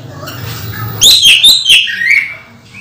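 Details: Orange-headed thrush in moult, caged: a short burst of sharp chattering notes followed by a descending whistle, with low hum underneath.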